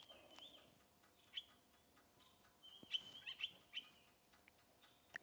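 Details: Drongo at Rietspruit Game Reserve, Lowveld, South Africa, 10 November 2024, evening, calling in alarm at a Gabar goshawk it had just mobbed. It gives scattered, high, clipped metallic notes, several clustered mid-way, with faint bush ambience.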